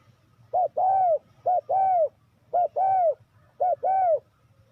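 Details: Spotted dove used as a decoy for trapping wild doves: four evenly spaced coo phrases, each a short note then a longer rounded coo, roughly one phrase per second, otherwise quiet.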